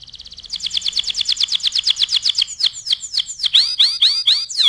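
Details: Canary song meant for teaching other birds: a soft trill swells into a loud, fast train of repeated chirps, then slows into widely spaced, clear downward-swooping whistles.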